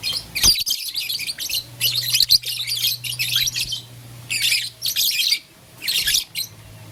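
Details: Pet lovebirds in blue, lutino and green colours playing with a flower in the morning; harsh high chirping bursts, about half a second each, separated by short pauses over a low steady hum.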